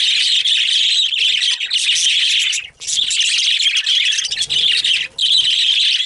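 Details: Excited budgies chirp and warble nonstop, the high chatter briefly dropping out near the three- and five-second marks before the overlapping flock calls surge again.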